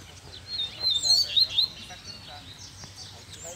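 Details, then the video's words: Male Double-collared seedeater outdoors in the bush, giving one short loud burst of high, sharp, slurred notes, followed by quieter chirps and faint background hiss. "Coleiro Braddock Solta o Canto no Mato!!!"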